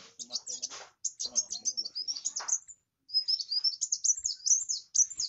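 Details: Van Hasselt's sunbird (kolibri wulung) in full song: fast streams of high, sharp chirps and slurred squeaks, broken by a short pause midway, with faint voices underneath.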